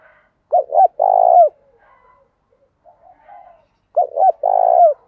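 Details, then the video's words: Spotted dove coo used as a decoy to stir other doves to call quickly: two clipped notes followed by a long vibrating hoot, repeated after about three seconds, with soft murmuring coos between phrases. "Chim Cu Mồi, tieng cu gay kich boi nhanh noi gù"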